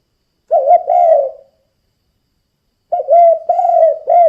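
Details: Spotted dove, 'kuk 2' calling for luring other doves: a short two-part phrase of soft, hollow coos ends, silence follows, then a new run of steady low coos starts.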